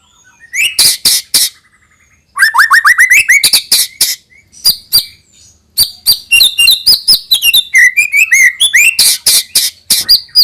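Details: Varied song of a white-rumped shama, used to coax young birds into singing: brief soft whistle, then a dense run of rising slurred notes, sharp clicks and harsh rasping bursts, continuing after a pause in rapid mixed phrases.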